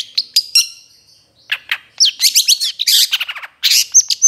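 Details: Spotted long-tailed shrike training song packed with varied phrases: a few sharp notes, a pause, then a dense burst of buzzy rattles and slurred whistles, ending on a steady high whistle.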